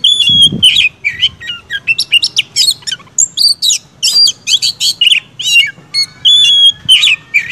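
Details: Kept Oriental magpie-robin in loud, continuous agitated song: a rapid jumble of high whistles, buzzy notes and sharp chirps with short clear tones woven through, barely pausing, over a faint low rumble.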